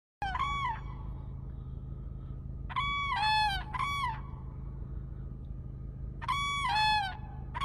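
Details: Cranes calling in short bursts of loud, ringing, trumpet-like notes that dip slightly in pitch, given in pairs and triplets several seconds apart, over a steady low hum.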